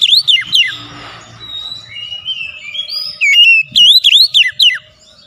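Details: Oriental magpie-robin singing, a lure meant to get a reluctant bird to sing: sharp downward-sweeping whistles, long level whistled tones, then a quick run of rising and falling notes.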